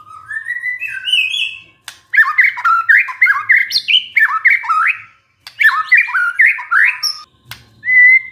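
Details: White-rumped shama lure song, meant to spur a stressed shama into song: a rising whistled opening, then long bursts of rapid jerky slurred notes with harsh edges, separated by short pauses, ending on a clear whistle.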